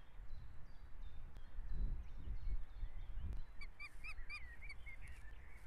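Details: Osprey at a nest in Estonia on 22 June 2017 at 17:50, filmed by a live nest camera as the bird brings a fish. A short run of sharp, repeated chirping whistles comes late, over steady low wind rumble.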